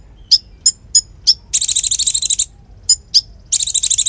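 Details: Konin in energetic song used to tutor magpie robins and fighting doves, with evenly spaced sharp high chips leading into fast buzzy pulsed trills, twice over.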